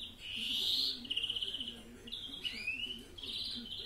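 A European greenfinch sings a quick, varied phrase of high twittering notes, a fast rattling trill and a rising nasal sweep, over a faint low hum.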